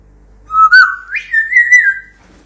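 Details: Pet African grey parrot whistling indoors: one clear, pure whistled tone that starts low, slides upward with a small wobble, then holds steady at a higher pitch for about a second before fading.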